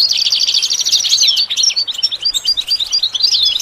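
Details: Goldfinch singing a rapid, tinkling medley, opening with a quick rolling trill, then scattered sharp whistled notes and short slurred chirps, all high-pitched and lively, for training a bird to sing.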